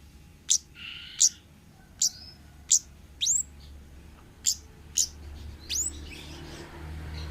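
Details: Lure recording of a wild 'ngalas' orange-headed thrush for training untrained birds: high, sharp chirps and down-slurred whistles spaced under a second apart, mixed with brief rasping notes over a low rumbling background.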